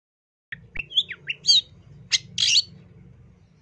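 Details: Long-tailed shrike song delivered sparsely: a handful of separate high chirps and short whistled slurs, then a harsh buzzy rasp, with gaps between notes and a low background hum underneath.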